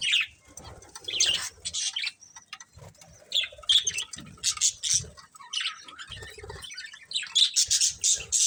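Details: Pair of breeding budgerigars giving uneven runs of sharp, high chirps and scratchy warbles, softer in the middle, with a few clear squeaky notes.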